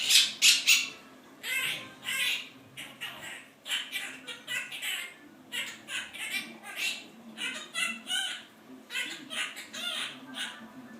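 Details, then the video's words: Pet male Quaker parrot talking, mimicking its owner's complaints about work that it picked up from overheard speech; rapid, speech-like run of shrill babbled syllables in quick bursts, nearly continuous for eleven seconds. "Quaker Parrot.. AKA little recorder"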